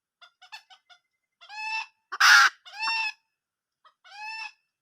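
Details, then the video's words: Wild junglefowl hen calling: short clucks, then longer harmonic, nasal calls with a loud rough burst in the middle and one more drawn call at the end. "suab poj qaib qus tsauj zoo"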